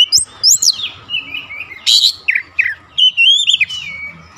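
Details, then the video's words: Provoking song of an oriental magpie-robin for stirring up other magpie-robins: short choppy whistles and slurred notes alternating with harsh scratchy bursts, over a low background hum. "PANCINGAN AMPUH KACER"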